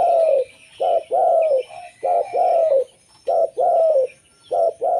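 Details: Local zebra dove singing to lure wild zebra doves: steady series of warm, purring coo pairs, each a short lead note and a longer trilled, downward-sliding coo, about four phrases in quick succession with light background noise.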